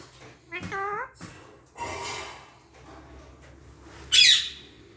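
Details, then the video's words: Pet parakeets said to talk clearly in Hindi: a short rising harmonic voiced phrase, then a breathy speech-like burst and a sharp, high squawk near the end, indoors. "mittu babu and mittudi talking clear in hindi"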